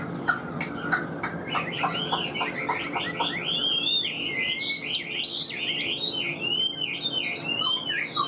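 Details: Chinese hwamei, a caged songbird, opening with a quick series of short clipped notes, then breaking into a continuous run of loud looping whistles that rise and fall in varied, rippling phrases.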